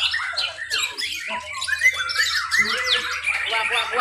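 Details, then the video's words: A crowded singing bout of white-rumped shamas at a class B bird contest in Mimika, Papua: fast bursts of chattering and sweeping whistles overlap continuously, while a low hum runs beneath. "MATERI FULL ISIAN vs ROLL TEMBAK AUTO JUARA.??, BIRD CONTEST MURAI BATU B"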